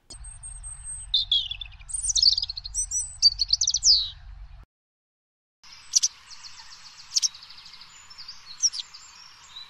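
White Wagtail: sharp, high chirps and twittering notes, first a busy run of varied phrases, then, after a short pause, spaced bright calls over a faint hiss.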